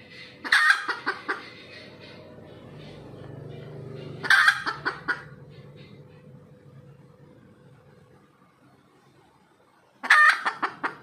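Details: Red junglefowl after laying: three widely spaced harsh squawking bursts, each followed by a few fading clucks, separated by long quiet stretches with low background hum.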